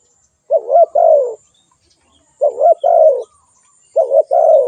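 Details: Spotted dove calling: three low two-part coos, each a short wavering note followed by a longer, smoothly falling coo, repeated about every one and a half seconds in quiet surroundings.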